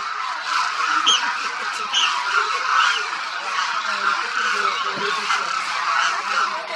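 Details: A dense, continuous chorus of thousands of Demoiselle cranes feeding and moving across the grounds at Khichan, Rajasthan, India in winter, with overlapping rolling, croaking calls from many birds at once and no pause, forming a steady roar.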